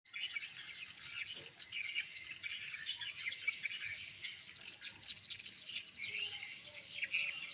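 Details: Swiftlets inside a newly built swiftlet house, answering a lure sound and a chick-call track: a dense, continuous wash of high buzzy chirps and clicks, with no pause over the whole stretch.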